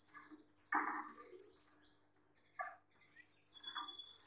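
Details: Male Gloster canary with a female: high warbled trills broken by a loud scraping burst, then more trilled phrases after a short pause.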